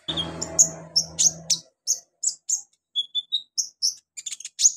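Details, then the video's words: Training recording of an olive-backed sunbird, locally konin or kolibri ninja, made to help beginner birds sing: rapid series of very high, sharp chirps about every quarter second, a few thinner whistled notes midway, brief low rumble at the start. "MASTERAN KONIN/KOLIBRI NINJA buat konin pemula cepat gacor"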